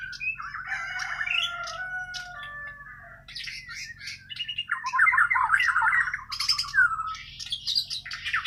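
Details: Bornean white-rumped shama from Kalimantan giving natural, untutored song: a jumble of whistles, trills and harsher squeaky bursts, getting louder and busier midway, over a faint low electrical hum.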